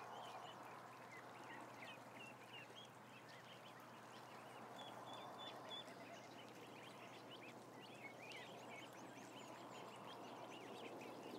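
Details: About a thousand ducklings kept together, their thin high peeps scattered through a continuous rushing background noise, the chirps brief and overlapping without a clear rhythm.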